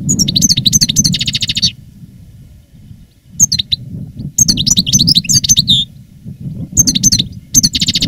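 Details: Reclamo-style master goldfinch, a caged veteran recorded live in 2017 after its moult: phrases of sharp twittering ending in buzzy rattles, separated by pauses, over a noticeable low rumbling background.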